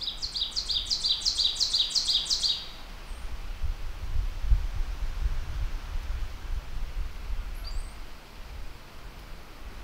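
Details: Ovenbird, a ground-dwelling warbler of mature deciduous and mixed forest, gives its teacher-teacher song: a fast series of about eight sharp two-part phrases, high and chanting, growing louder over two and a half seconds, then quiet with faint distant chirps.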